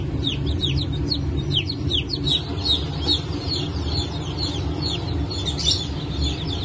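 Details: Brahma and Wyandotte chicks, newly hatched on 4 August 2024, sharp descending chirps in irregular bursts from several chicks, set against a strong low rumble.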